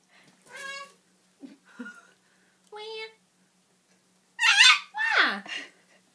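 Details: Pet Goffin's cockatoo squealing with excitement indoors. Short nasal calls are interspersed with a person talking, then two loud, harsh, broadband screeches, the second sliding downward.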